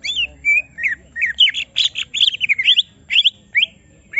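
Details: Greater green leafbird, caged and provoked so it shows its full song, gives an energetic string of bright, looping whistles and buzzy high chirps in quick succession.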